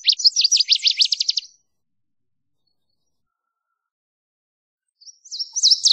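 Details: Song of the Northern waterthrush: a quick, loud series of sharp, downslurred high notes lasting about one and a half seconds. After a pause, another phrase starts with rising, bright chips.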